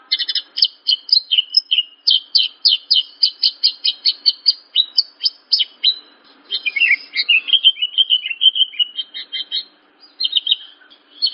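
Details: Horsfield's bush lark singing a training recording for young birds: a steady run of quick high chirps nearly twice a second, then a lower warbling slur and more scattered chirps.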